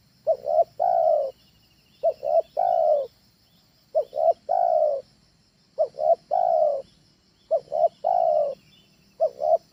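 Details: Spotted dove lure call used in training: mellow low cooing phrases, two brief notes then a drawn-out falling coo, repeated steadily roughly every two seconds over a quiet hum.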